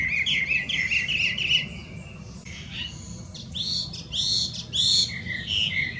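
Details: Loud song of a wild Chinese hwamei, an introduced invasive bird in Japan: a run of wavering repeated whistles, then varied clear phrases separated by brief pauses.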